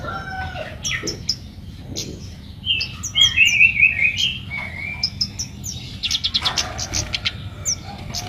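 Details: Red-whiskered bulbul singing hard while seeking a rival: bright whistled and chirped notes mostly in a high register, with a fast run of rising-falling phrases mid-way and sharp clicks and ticks around it, over a low steady background hum.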